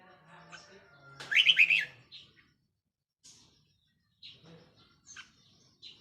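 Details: Decoy red-whiskered bulbul, recorded on 4 May 2023, gives one bright rapid warbled phrase lasting about half a second, followed by scattered faint high chirps over a low steady hum.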